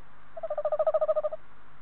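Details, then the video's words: Tawny owl, a male, calling near the nest box on 21 February 2015: one quavering, rapidly pulsed hoot of about one second that grows louder toward the middle, over a faint low hum. "Bosuil M roept dichtbij de kast"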